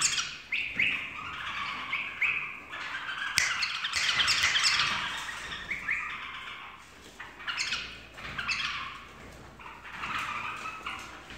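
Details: Bulbul in full song: rich, loud warbling and squeaky chirps in overlapping phrases, with a single sharp click mid-passage and bursts of chattering notes rising and falling.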